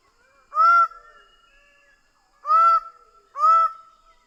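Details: Greater bird-of-paradise calls: three loud, honking, nasal notes with drawn-out level tails, the last two closer together, faint softer calls behind.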